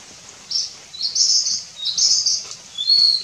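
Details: A Nilgiri blue robin (Nilgiri sholakili) at Kudremukh, the northern edge of its range, sings high, thin, scratchy phrases in four quick bursts, ending on a clear sustained whistle, over a quiet background.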